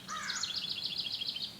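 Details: A wren, singing constantly outdoors among elm trees in June 2013, gives a fast, high, bubbling trill of rapid notes, opened by a brief lower whistled phrase, over faint outdoor background noise.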